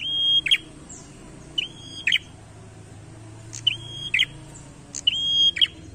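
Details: Challenging song of a chatty prinia: four repeated phrases, each a short note, a flat high whistle held about half a second, then a rough buzzy flourish, with quiet gaps and faint low hum between.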